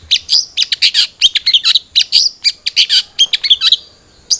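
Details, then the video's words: Lure recording of a cendet trotol long-tailed shrike, used to coax caged birds to sing: a fast, almost continuous stream of harsh, scratchy high chirps and twitters that stops briefly before one last note. "Pancingan Cendet Trotol Agar Cepat Bunyi"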